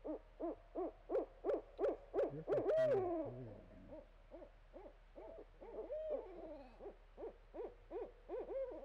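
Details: Barred owl with a steady train of short, evenly spaced hoots, nearly three a second, interrupted by a drawn-out downward-sliding note and later a wavering longer call.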